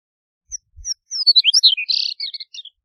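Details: Song of a Chestnut-collared Longspur: a couple of faint high whistles, then a quick, rich tumble of sweet warbled notes peaking loudest midway and trailing off into a few soft chips; faint low thumps at the start.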